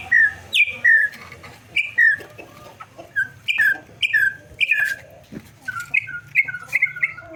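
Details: Campo troupial song of loud, clear two-part whistles, a high note falling into a lower slurred one, repeated rapidly and continuously, with soft clicks and a low hum in the background.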